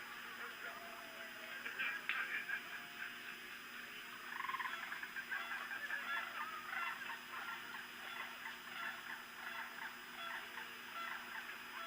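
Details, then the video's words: Cranes calling in the distance, recorded by a nest webcam on September 5, 2017: a continuous chorus of overlapping rolling, honking calls from many birds, with a louder burst near two seconds and again around four and a half seconds. "Hear the Cranes calling?"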